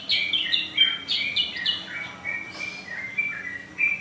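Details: Sooty-headed bulbul (Pycnonotus aurigaster) singing loudly in long rhythmic phrases, a lively run of short, bubbly whistled notes rising and falling quickly, several phrases every second, with a faint hum behind.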